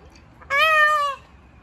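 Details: An angry peacock gives a single loud, nasal, wailing cry lasting under a second. The pitch holds nearly steady with a slight rise and fall, rich in harmonics, over a quiet background.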